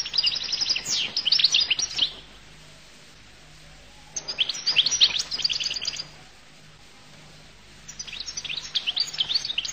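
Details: Goldfinch of the Collo type singing three separate phrases of rapid, high tinkling trills and chatter, each lasting about two seconds, with quiet pauses between.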